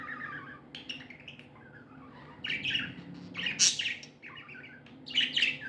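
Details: Happy budgerigars kept as pets chirp softly at first, then break into louder squeaky warbling and sharp high chirps in the second half.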